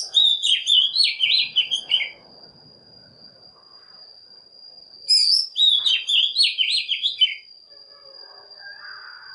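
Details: Oriental magpie-robin decoy song used to draw wild birds and provoke young birds to sing: two rich, fast warbled phrases of about two seconds each, mixing shrill high notes with lower twittering, three seconds apart, with a constant thin whine behind them.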